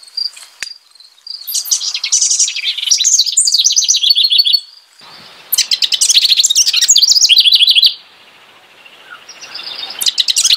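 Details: House wren (Troglodytes aedon) song: two bubbly, rapid songs of buzzy trills and chattering notes, each tumbling for about three seconds, separated by brief pauses.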